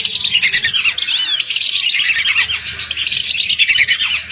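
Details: Hundreds of lesser whistling ducks calling as a lure, a dense overlapping chorus of high whistles with soft clicking beneath, steady to the end.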